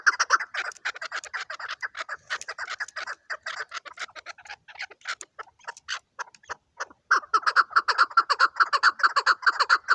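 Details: Hunting chukar partridge calling in a brisk, repeated chuk rhythm, with a looser, patchier stretch in the middle before a strong, regular series returns for the final three seconds.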